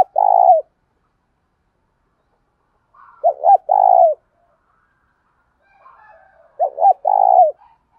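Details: Spotted dove cooing used to provoke wild birds into calling. Three phrases of two short hooked notes and a long, dropping coo, spaced about three seconds apart. Faint chatter is heard before the later phrases.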